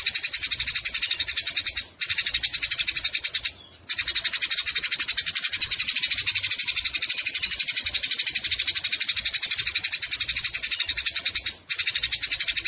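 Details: Eurasian tree sparrows fighting, for tutoring songbirds: a long stretch of relentless, rapid, scratchy chatter, broken by two or three very short pauses.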